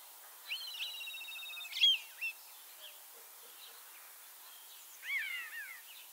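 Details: Common starling ringed in Kaunas, Lithuania, and back in Liepāja, Latvia, on 25 March 2023 for its third spring: long level whistles, a short snap, then a cluster of descending harmonic slurs.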